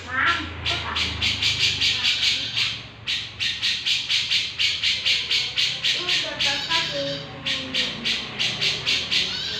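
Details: Sooty-headed bulbul in full song: bright, rapid notes repeated in dense bursts of roughly four per second, with a short pause near three seconds, then steady repetition resumes; faint low background hum throughout.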